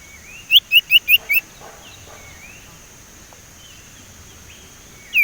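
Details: Young Sumatran leafbird learning to whistle, its practice used as a lure for other leafbirds. Five sharp upslurred whistles come in rapid sequence. A long quiet stretch with faint thin calls follows, then one more loud whistle at the end.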